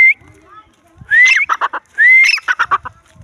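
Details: Two full phrases from a wild grey francolin, each a loud rising whistle followed by four or five throaty, clipped notes; faint low rumbling noises underneath.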